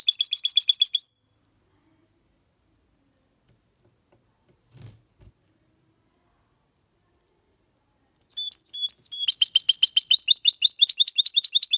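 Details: A hybrid of goldfinch and canary sings a clean song of the Malaga copy style, recorded 2022 as a tutor for males and chicks: a short burst of fast trilled notes, a long silence with a faint thud, then a dense, rapid twittering phrase.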